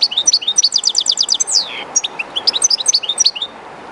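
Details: Shy goldfinch, one of a keeper's birds, singing beside the Jerte river: dense, fast tinkling twitter with a rapid even trill and a sliding downward note, followed by more bright chirping phrases, water rushing in the background.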